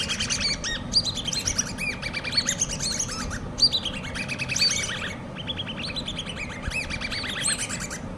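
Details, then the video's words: Hand-reared common babbler chicks producing long runs of high, rapid squeaky chirps, several birds overlapping, with a short pause after five seconds before another burst; low mechanical hum throughout. "COMMON BABBLERS( hand reared chicks )"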